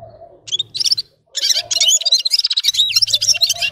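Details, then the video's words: Red-fronted serin, locally called gulsir or yurok qushi, singing a fast, high jingling twitter in bursts, broken by a short pause near the middle, over a faint low hum. "Gulsir Singing (Seriniis pusillus) Пение Птицы (Yurok Qushi Red-capped signing) G'ir-G'ir"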